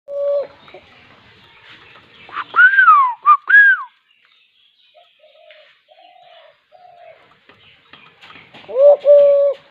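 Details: Dove gives low, steady cooing notes at the start and again near the end, with louder rising whistled calls in between and faint soft coos during a quieter middle stretch.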